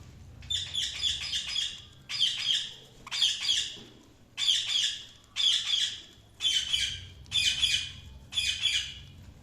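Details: Budgerigars chirping: eight harsh, scratchy chatter bursts, roughly one each second, each a rapid buzz of high notes, over a quiet indoor background.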